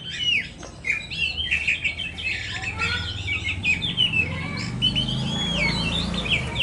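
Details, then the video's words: Kacer poci, an Oriental magpie-robin, delivering bright whistled phrases with sharp upward and downward slurs and fast twittering notes, over a steady low background rumble. "terapi kacer poci"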